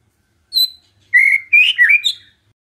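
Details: Lure song of a white-rumped shama meant to provoke a quiet bird into replying: one short high note followed by a rich run of warbled, slurred whistles.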